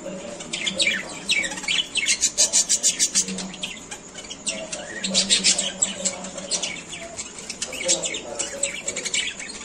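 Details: Lovebirds playing and calling, rapid shrill high chirps and squeaky notes in busy overlapping bursts, several short fast runs of chirps around two to three seconds and again near five seconds, with faint low murmuring underneath.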